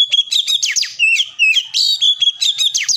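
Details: Oriental magpie-robin singing nonstop, a fast stream of high chirps and steep down-slurred whistles mixed with steadier whistled notes, bright and loud, phrases running together without a pause.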